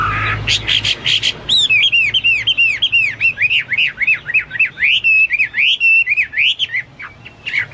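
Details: Hwamei in full song, meant as a tutor recording for caged birds: a few harsh opening notes, then a long, rapid string of ringing, arched whistles, about four a second.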